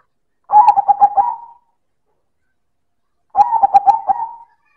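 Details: Silver perkutut (zebra dove) singing manggung style, loud and clear: two hollow, bubbling phrases of about six quick pulsed coos each, ending in a held note, roughly three seconds apart.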